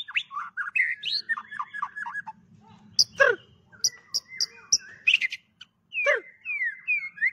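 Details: White-rumped shama, called fire shama, singing with many voices: quick chattering whistled notes, then sharp clicks and harsh bursts, ending in loud sweeping slurred whistles, over a faint low hum.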